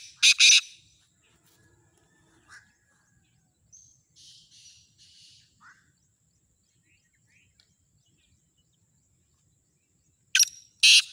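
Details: Black francolin offered for sale: grating call notes open and close the stretch. Between them are faint chirps and a soft buzzy trill from other small birds, with long quiet gaps.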